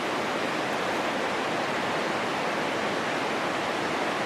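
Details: Steady, loud rushing of water fills the whole recording with broadband hiss and no animal voices.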